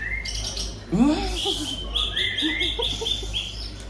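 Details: A greater green leafbird pours out borrowed phrases, including tengkek udang and jinjing petulak material. Bright, sustained whistles run in quick succession, with a brief low swooping sound near the start and constant background hum.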